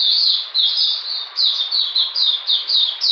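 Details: Oriental magpie-robin kept as a song bird, recorded on a cold rainy day in June 2020, delivering a string of high, slightly downslurred whistled notes repeated almost twice per second in a steady, rolling series.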